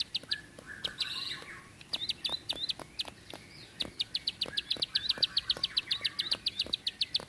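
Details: Bar-winged prinia singing in a rapid 'tembakan panjang rapet' style: a long run of sharp, dry clicking notes repeated about four times a second, with a few brief twittering phrases mixed in.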